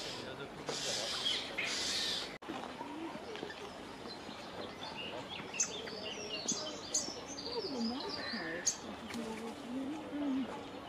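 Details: Common starlings give harsh, rasping scolds at a carrion crow that has landed in a tree near their nests, then a busy run of clicks, chirps and squeaky whistles, over a low background murmur.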